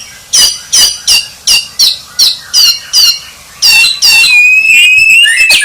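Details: White-rumped shama, a contest champion, gives eight rapid, sharp, descending high notes about every third of a second, then a rich trilled flourish that ends in a long whistle.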